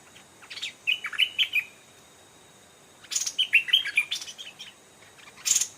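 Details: Wild Stripe-throated bulbul, an old, fierce bird approaching a trap set with a caged decoy; two bursts of chattering, warbled notes separated by a pause, with a sharp scratchy noise at the end.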